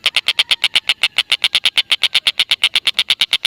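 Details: A black-and-red broadbill's continuous chatter, used to lure lovebirds; about twenty-five buzzy notes in three and a half seconds, steady in pitch and spacing.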